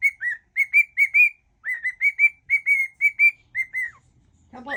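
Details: Pet cockatiel whistling mixed song tunes; repeated pairs and triplets of bright whistles, each note arching slightly, with a falling note near the end and a low human voice starting at the close.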